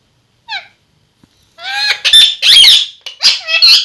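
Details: Talking parrot pair kept as pets: one faint short call, then loud, raspy, grating squawks running almost continuously for two seconds.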